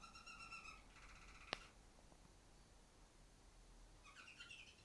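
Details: A female canary sits atop the farthest cage, singing: an opening steady whistled note with harmonics, then a sharp click and a quiet gap, with a cluster of bright chirps near the end.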